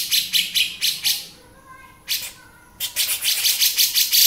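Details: Male grey-cheeked bulbul with beset song: a few harsh buzzy notes, quiet gaps broken by a single rasp, then a quick run of scratchy chattering.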